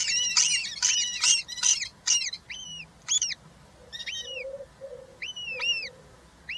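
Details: European roller nest with three chicks on 20 June 2023 as one gets a giant grasshopper; rough rasping notes in quick succession turn into clear arched whistles, with a soft steady low tone humming in gaps.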